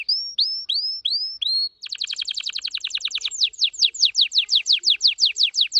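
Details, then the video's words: Red factor canary singing: five upturned whistled notes, then a fast buzzy trill, then a steady series of descending whistled sweeps repeated about three per second. "very fast singing canary"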